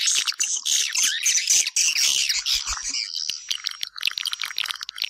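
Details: Swiftlets twittering in a sound used to draw them into a house; very high, fast chattering notes with a thin steady whistle-like tone running through the later part.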